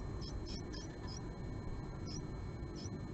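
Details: Japanese tit, morning of 20 March 2022, at a nest box where a female visited the male three times, with some fighting: thin, high chirps, about six quick notes scattered unevenly over three seconds, over a low rumble.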